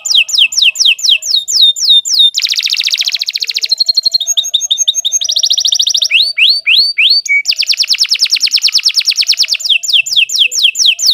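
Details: Long master song of a canary for teaching young birds, switching quickly between rapid downslurred trills, dense buzzy rattles, bright rising sweeps and steady high chattering tours with barely a pause.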